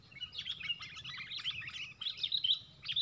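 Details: Fighting Sooty-headed bulbuls, four against one, at a lure-trapping site; a busy stream of overlapping sharp chirps and quick twitters with no break.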